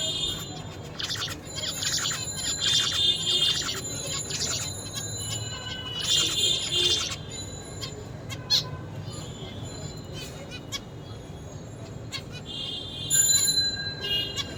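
A zebra finch sings short bursts of buzzy, nasal notes, repeated in a quick motif.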